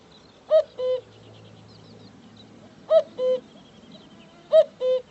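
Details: Cuckoo giving three clear two-note calls, a higher note dropping to a lower one, cu-ckoo, spaced about two seconds apart over a quiet background.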